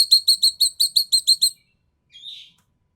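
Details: Common green magpie from Sumatra, a sharp and harsh voice used as a tutor recording: a quick run of about nine harsh, buzzy, harmonic-rich notes, then a brief softer note after a pause.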